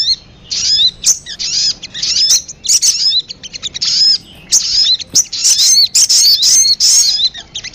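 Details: Sunbird (sogon) lure to attract birds: high, thin twitters and sharp chips in rapid, uneven clusters, with downslurred whistles and short silences between bursts.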